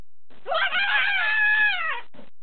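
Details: One of two pet macaws, blue-and-gold and green-winged, out of their playpen guarding their hiding spot in a basement, gives one long, harsh, rasping screech of about a second and a half, rising slightly, holding, then sagging.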